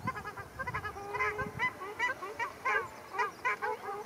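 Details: Ruddy shelducks fighting at Arucas, Gran Canaria, on 13 February 2021: a rapid run of loud, nasal, honking calls overlapping one another, with a drawn-out honk near the middle.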